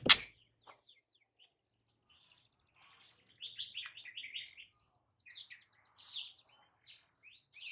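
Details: White-rumped shama song from a master recording meant to get a quiet bird singing: a loud click, then varied quick chattering and whistled phrases in short bursts with pauses, fairly soft throughout.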